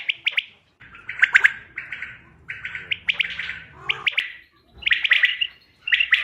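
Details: Common quail call used to lure birds for hunting, recorded 5 June 2025: clusters of short, rasping chirps delivered in quick groups with brief silences between, faint low hum underneath.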